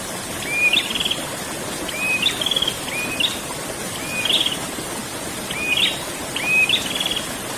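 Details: Prinia in 'ngerol' song: repeated pairs of upslurred whistles, each followed by a dry buzzy trill, roughly once a second, with a steady flowing-water hiss underneath.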